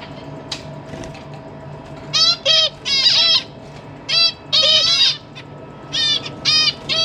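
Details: Zebra finches in a cage, parents feeding their newly fledged babies, December 2023; short nasal, buzzy calls in bursts of two or three, clear gaps between groups, over a faint steady low hum.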